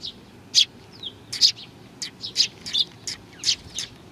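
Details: Sparrows arriving to be fed at Tenmangu in Nakanoshima, 21 June 2020, giving sharp high chirps in separate bursts, about two or three per second, with a short thin whistle between them.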